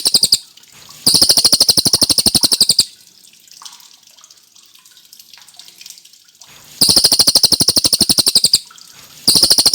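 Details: Tit-babbler singing vigorously as a training recording for white-rumped shamas: long runs of fast, sharp, repeated metallic notes, broken by a gap of several seconds filled with faint, soft background rustling and dripping sounds.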